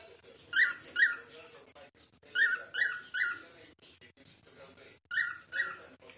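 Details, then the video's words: A cockatiel talking with a friend inside a room utters repeated short, scratchy, bright chirps, mostly in pairs about half a second apart, three groups over six seconds, with faint clicks and murmur between. "Cockatiels....talk for the news of the day"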